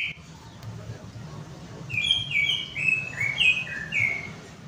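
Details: Softer greater green leafbird lure song for a bird that will not sing: a short chain of sliding whistled notes over steady background hiss.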